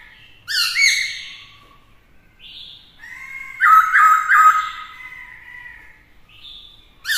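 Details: Black-throated laughingthrush singing varied voices to challenge rivals while a female rouses the male; harmonic-rich whistled bursts and a rapid warbling passage in the middle.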